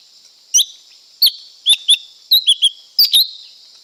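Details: Lesser green leafbird song of quick, high whistled notes, some downslurred, others flat, delivered in clusters of two or three about ninety times a minute against faint steady hiss.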